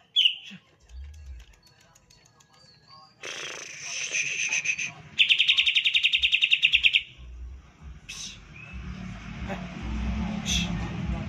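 A green leafbird gives a varied song: a harsh buzzy phrase, then a fast, even volley of about twenty sharp high notes, with scattered whistles and a low background hum.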